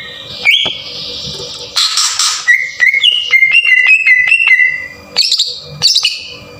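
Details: Green leafbird lure song to raise a bird's emotion and get it singing, rough 'tembakan kasar' style: a rising whistle, a harsh buzzy burst, then a run of clipped repeated whistles stepping slightly up and down, ending in high chips.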